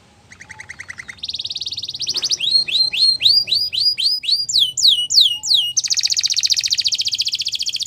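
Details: Training song of a Belgian canary, opening with a quiet rising trill, then buzzy rolls, a run of looping whistled notes repeated about four a second, ending in a dense sustained trill; faint low hum.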